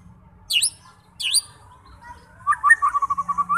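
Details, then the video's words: White-rumped shama used to provoke fighting birds into song: two sharp high chirps, then a steady series of about ten quick pulsed notes over faint background hum. "90% Cocok untuk memancing SEMUA jenis Murai batu FIGHTER, GACOR dan BONGKAR Isian"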